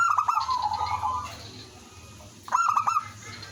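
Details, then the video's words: Village zebra dove used as a calling decoy, with other doves responding; a quick stuttered trill sliding into a drawn coo, a pause, then another rapid pulsed burst, against steady low hum. "suara merbok kampung/perkutut lokal gacor manggung jadi pikat pancingan semua jadi nyaut"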